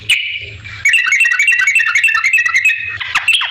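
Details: Yellow-vented bulbul in lively 'gacor' song, used as a lure to make other bulbuls answer: bubbly, fluty notes run quickly in a rising and falling chatter after a brief pause.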